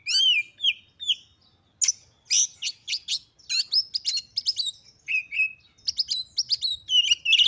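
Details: Female white-rumped shama, used to provoke males into fighting and display: varied whistled notes and sharp chirps, some slurred descending whistles, in bursts with short pauses.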